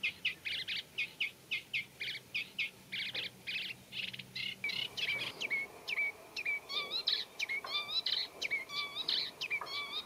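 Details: Singing Eurasian reed warbler in reed bed habitat: steady scratchy notes repeated about twice a second, then shifting to clear whistled phrases, mimicry including Common Redshank-like piping, over faint low hum.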